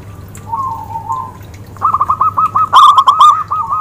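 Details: Zebra dove song, described as clear: faint soft cooing at first, then a quick run of short, mellow cooing notes that grows louder toward the end, over a steady low hum.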